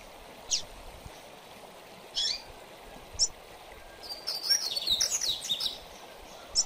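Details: Double-collared seedeater in mateiro style, a training song that excites most coleiros: spaced single high chips, a roughly two-second burst of intricate, buzzy trills, then one last chip.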